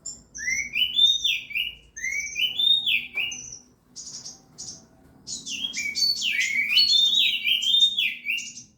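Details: Oriental magpie-robin, a caged contest bird in Indonesia, singing in loud varied phrases: rising whistled sweeps near the start and a dense burst of sliding, overlapping high notes later, with short pauses between phrases.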